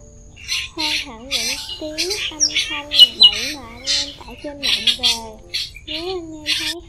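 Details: Migrating black drongo lure sound for net and glue trapping, 2023: a dense, scolding medley of rasping squawks, wavy whistled phrases and short sharp chips, with almost no pauses.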